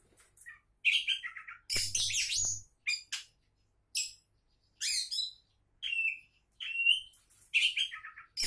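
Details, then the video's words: Oriental magpie-robin, presented as a contest champion candidate, singing a rich, varied song of short loud bursts: whistled notes, buzzy rasping phrases and quick rising and falling slurs, separated by brief pauses, in a quiet setting. "Kacer Calon Juara"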